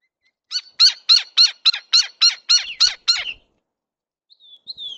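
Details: Gila woodpecker at a feeder: a quick series of about ten harsh, squeaky notes, three or four per second, followed by a faint thin whistle.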